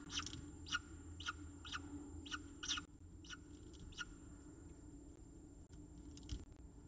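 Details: Peregrine falcons being fed at the nest in Orange, Australia, give a quick series of rasping begging notes, dense for the first three seconds, then sparser and fainter, over a constant low hum.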